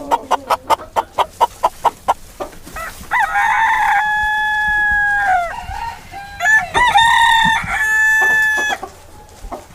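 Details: Real farm chicken in a set of farm animal sounds for toddlers: a fast run of sharp clucks in the first two seconds, then long, loud, harmonic crowing notes that bend and fall. Background is otherwise quiet.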